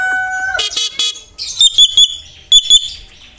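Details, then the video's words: A yellow-eyed Javan myna mimics human speech and sounds: a steady, horn-like whistled tone, then harsh cough-like bursts, then a run of sharp, high squeaky notes about once a second. "Jalak kebo mata kuning ngomong kabib batuk,salam,piro,tuku pulsa."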